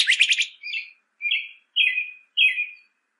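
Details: Northern cardinal, recorded to teach birds to sing: a brief rapid burst of high notes, then four evenly spaced whistles, each level then dropping slightly, about half a second apart.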